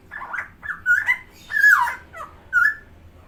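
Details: Captive helmeted friarbird, called koak kao or cucak timor in Indonesia, repeating nasal, slurred gurgling calls in about five phrases, rising then falling, over a low background hum.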